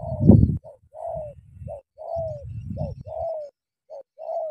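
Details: Spotted dove of Cà Mau, a "kèo thổ" bird confronting a wild "bổi" and fighting. Drawn-out, slightly falling coos repeat over heavy low rumbling and scuffling, with a loud knock at the start.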